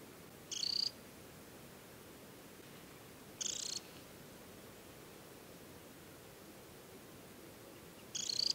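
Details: Temminck's stint, a banded summer adult, calling at a lake on Norway's Hardangervidda plateau in early July: three brief, high, buzzy rippling trills spaced several seconds apart, with steady soft background noise between.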